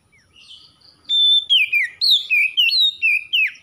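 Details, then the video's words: Caged magpie-robin regaining its full song after stress: a long pure whistled note, then quick looping whistles that leap up and slide down, repeated at a fast lively pace. "KACER SETRES MACET BUNYI LANGSUNG GACOR"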